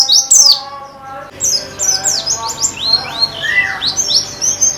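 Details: White-eye (pleci) in a recording used to make birds sing more: a brief high downslurred note over a low harmonic hum, then a quick run of bright, high twittered notes and a lower slurred whistle.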